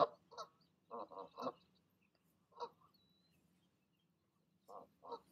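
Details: Evening goose honks as the parent pair coax goslings to jump from the nest: a quick cluster of three short honks, one lone honk, then two more after a quiet pause.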